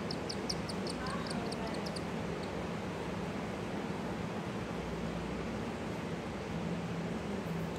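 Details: A cockatiel chick being fed by its father gives rapid, high, squeaky begging pulses, then falls quiet against a steady low hum.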